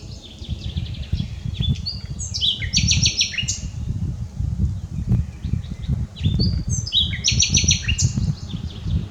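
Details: Common nightingale singing, unedited: varied phrases of repeated high notes, rapid trills and sliding whistles in quick succession, with steady low rumbling noise underneath.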